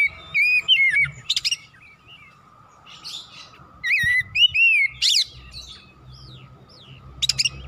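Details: Kacer, the Oriental magpie-robin, in energetic gacor singing meant to provoke other birds: looping whistled phrases that swoop up and down, broken by sharp high buzzy rasps, in short bursts with pauses and a constant low hum.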